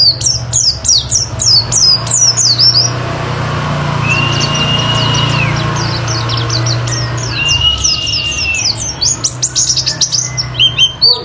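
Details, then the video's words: Pleci (oriental white-eye) lure song to prompt other birds to sing: quick high downslurred chirps at the start and end, a low rumbling hum with two long level whistles in between. "Cocok Buat Pancingan Burung Pleci Auto Ngalas Bongkar Materi"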